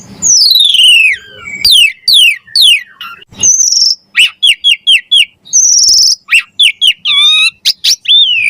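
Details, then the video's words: Javan pied starling singing for songbird training: a string of steeply descending whistled slurs, followed by rapid repeated chip notes and bright clear whistles, loud and dense. "Suara Jalak Suren Gacor Mompa Variasi Isian Mewah Cocok Buat Masteran & Pancingan Burung Jalak"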